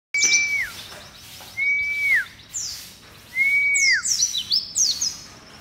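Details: White-eye song: three clear, level whistled notes, each ending in a quick downward slur and spaced about 1.5 seconds apart, then a burst of very high, sharp descending chirps near the end.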